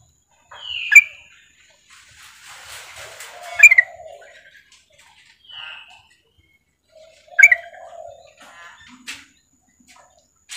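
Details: Female sooty-headed bulbul calling to a male, giving short bubbly notes in separate bursts a few seconds apart, with brief rising whistles and lower chattering phrases between them.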